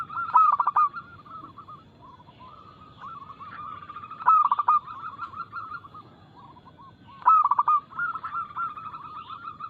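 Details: Zebra dove, a local perkutut, in its rapid, loud anggungan song, meant to provoke other doves into singing. Three forceful pulsed bursts about three seconds apart, each followed by steady trains of softer bubbling coos.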